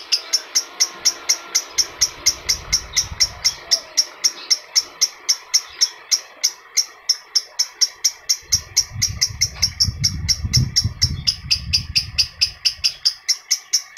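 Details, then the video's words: Lovebird, adult, used to excite other adult lovebirds: dense, rapid high chirps running throughout, with low rumbling noise in two stretches. "PERANGSANG PANCINGAN LOVEBIRD DEWASA"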